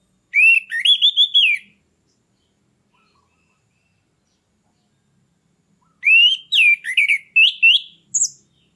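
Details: Lure recording of a captive orange-headed thrush meant to stir stalled birds into breeding condition: a quick run of warbled whistles, long silence, then a longer varied phrase of rising slurs closing with a high squeak.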